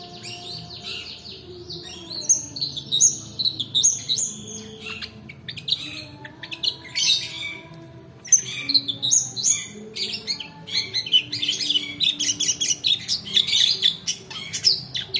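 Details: Long-tailed shrike song in the long-duration roll style, used as a lure to coax lazy shrikes into singing and to tutor other birds: dense runs of sharp chattering and whistled notes, pausing briefly midway before resuming.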